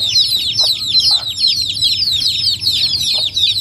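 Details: Chicks of domestic chickens in Noldang village, recorded in a natural rural setting, keep up a steady wall of shrill, descending peeps, with a couple of faint, low clucks beneath the chorus.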